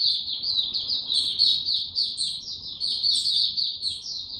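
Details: Continuous, fast, high-pitched warbling from a white-eye given no supplements, recorded 29 April 2022: a busy ribbon of chirps with scattered sharper notes above, over a faint hiss.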